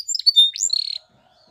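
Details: Canary Spanish Timbrado training song: short high whistles and a rising slur into a brief buzzy note, then quiet.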